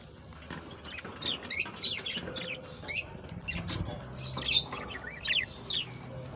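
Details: Singing budgerigars, a warbling chorus meant to encourage mating; repeated high, rasping chirps and twittering notes in short bursts, with a low hum in the background.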